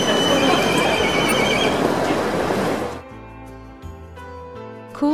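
A Black Kite gives a shrill, quavering whinny over a rough, noisy background for about three seconds, then background music takes over.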